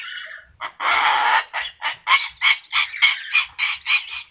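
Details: Yellow-crested cockatoo talking: a short harsh note, then a long raspy burst, followed by a rapid run of about ten clipped, speech-like syllables, each a gritty broadband chirp spaced roughly three per second.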